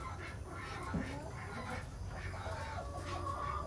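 Araucana chickens give low, broken clucks and murmurs against a steady background rumble.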